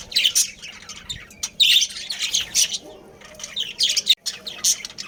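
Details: Budgerigars in a breeding colony, with a breeding pair and family: bursts of bright, scratchy chirps and squawks overlap in quick succession, separated by short pauses.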